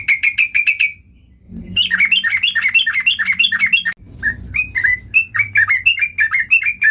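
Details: Sooty-headed bulbul in full, varied song: a short run of quick chirps, a pause, a long chattering series, then more widely spaced single slurred notes; low background hum.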